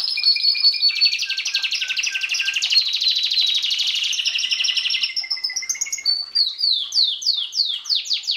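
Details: Canary singing a dense, rolling, buzzy trill for several seconds, then a thin held whistle, ending with crisp descending chirps repeated rapidly.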